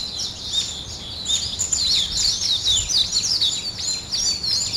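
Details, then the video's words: Birds greeting the morning with rapid, high, tumbling chirps and short trilled phrases, several singers blending into a continuous twitter. "아침을 깨우는 새소리 2 ,Birds wake up in the morning 2"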